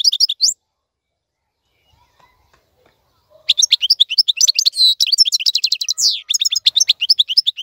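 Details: A European goldfinch gives song used to teach young birds: a brief twitter, about three seconds of silence, then a lively outpouring of tinkling chirps, rattling trills and a nasal buzz.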